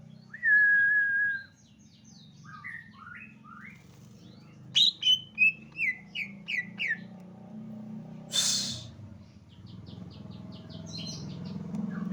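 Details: Javan leafbird song: a long steady whistle, then a run of short, varied, rising and falling whistled notes, a brief broad rasp, and more chattering phrases over a constant low hum.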